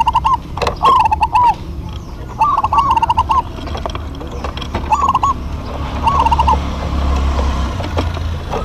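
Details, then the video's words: Local zebra doves singing in duet give several short bubbling coo phrases, trilled and stuttering, spaced a second or two apart, with sharp taps and a low hum underneath. "DUET PERKUTUT LOKAL GACOR PALING RAME PASTI SEMUA NYAUT"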